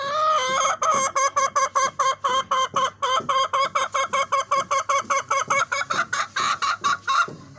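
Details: Fancy hen singing: after an opening drawn-out note comes a fast, steady series of sharp, harsh clucks, about four per second, for roughly seven seconds without a break.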